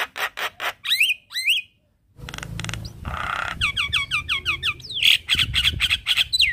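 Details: Javan myna song played each morning as a lure for a myna that has stopped singing: harsh broadband rattles, slurred whistles rising and falling near mid-high pitch, a brief silence, then rapid buzzy and whistled notes.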